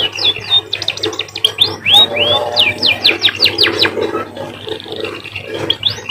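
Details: Munia giving a varied canary-like song of quick chirps, swooping arched whistles and sharp downslurred notes, with a faint buzzy trill near the end and a low hum throughout.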